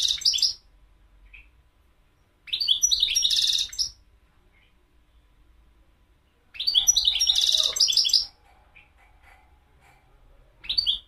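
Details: Repeated goldfinch song phrases every four seconds or so, each a rapid jangle of liquid twitters with a harsh buzzy note, separated by near silence.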